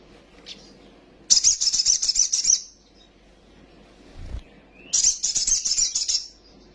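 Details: Little spiderhunter recording meant to quickly provoke young birds into agitated, wing-flapping singing: two long, very high, buzzy rattling trills a few seconds apart, with a soft thud between them.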